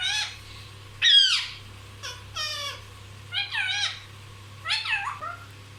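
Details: Pet parrot said to talk constantly, heard giving raspy, harmonic squawks and short slurred calls about once every second, with a constant low hum indoors.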